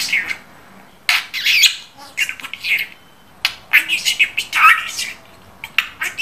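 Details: A talking pet budgerigar gives bursts of high, squeaky chatter in speech-like phrases, separated by short pauses, recorded indoors.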